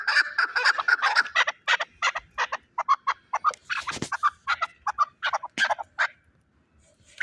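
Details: Chukar partridge, a fighting bird from Shahritus, delivering loud rhythmic clucking bursts in uneven groups, rapid at first, then slowing into spaced paired notes before falling quiet.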